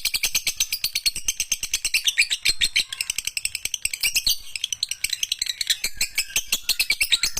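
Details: Masteran tutor recording of a lovebird: long unbroken chatter of fast, harsh, high clicks and chirps, occasional short squeaky notes woven through, steady pace throughout.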